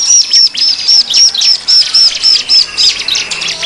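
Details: Bar-winged prinia lure sound for attracting wild birds: a steady rhythmic run of high, thin chirped notes, about four per second, each slightly slurred.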